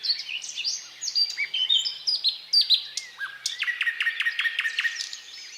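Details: Thrush nightingale singing a varied, solemn strophe: descending whistled and slurred notes give way to a fast series of sharp, evenly spaced clicking strokes toward the end.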